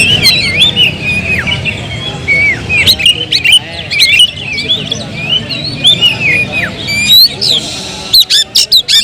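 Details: Pet Oriental magpie-robin sings a flowing medley of warbled whistles and slurred notes, broken near the end by a series of abrupt, loud clicking chips, with faint low hum behind.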